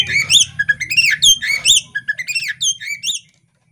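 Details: Female Oriental magpie-robin chattering lively (gacor ngobra) while fanning its tail, used to test a male's nerve. Loud, clear whistled notes with rising and falling sweeps come in a quick, uneven run, over a faint low hum.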